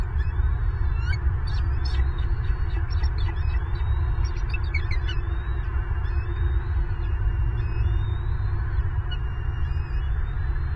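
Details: Wild bald eagle at a nest in Southwest Florida on February 25, 2023, an adult feeding an eaglet and suddenly turning angry at both young. Scattered high, thin piping notes early on over a steady low rumble of wind or hum.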